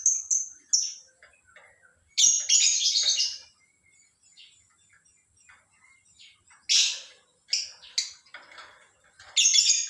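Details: Morning lovebird calls: high thin whistles and harsh squeaky bursts in irregular clusters, with quieter chips in between.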